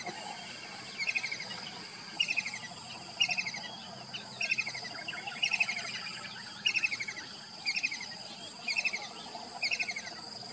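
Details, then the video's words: Morning calls of a kingfisher, given as brief rattling phrases of quick, slightly falling sharp notes, about one phrase per second, with a constant insect buzz and faint background birds. "king fisher calling in the beautiful morning"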